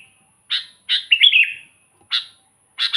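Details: Sooty-headed bulbul, lively song for luring wild bulbuls: two crisp chirps, then a rich gurgling, wavering phrase, followed by two more separate chirps, all over a faint steady high hiss.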